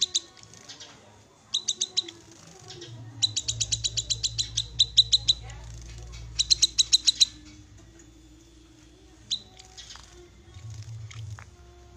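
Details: Call of the black-capped babbler, known locally as kinoi, used to get an untrained bird singing quickly; quick series of crisp, high chips in bursts, one long run of steady ticks mid-recording, low background hum.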